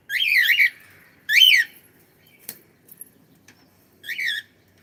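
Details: Pet cockatiel calling indoors: three loud harsh squawks with wavering harmonic bands, each about half a second long and roughly a second or more apart, with faint clicks between them.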